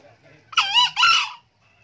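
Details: Green junglefowl, an old male that crows often: a single crisp crow made of two rasping syllables with a tiny gap between them. Faint low clucking sounds underneath.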